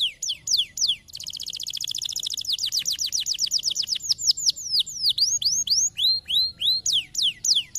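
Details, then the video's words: Canary singing to stimulate others to sing, with a few sweeping whistles followed by a long rapid rolling trill that slows into loud, repeated up-and-down slurred whistles, with almost no background noise. "Canary tweets"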